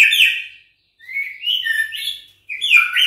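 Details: Caged six-week-old juvenile white-rumped shama of Bahorok stock answering a rival's challenge with rich warbled phrases of sliding whistles and buzzy notes, three bursts split by brief silences.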